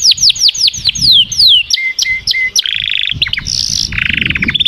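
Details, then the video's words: Canary singing a series of descending whistled slurs repeated rapidly, then short flat notes and a buzzy trill, with a quick high rattling phrase near the end. "تغريد كناري Chant Canaris singing canaries"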